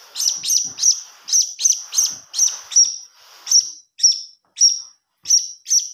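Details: Lure sound of a blue-crowned hanging parrot chick begging: rapid shrill chirps at first, then slower, cleaner single high notes spaced roughly half a second apart.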